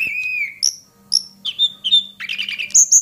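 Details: Lure call of a hill prinia for tutoring: a held whistle, several short spaced high notes, then a quick burst of rattling chirps ending in bright high whistles.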